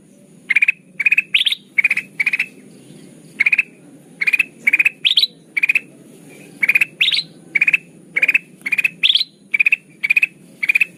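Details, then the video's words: Repeated chattering bursts of a sooty-headed bulbul lure used for trapping, each a quick cluster of notes, in runs separated by short gaps, a few bursts pitched higher and rising. "Suara pikat burung kutilang emas"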